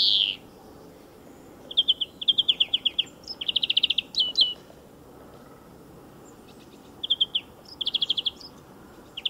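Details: European greenfinch beside a motor racing circuit sings fast, high, even trills in short bursts, with a few sharp chirps between them over a faint background hum.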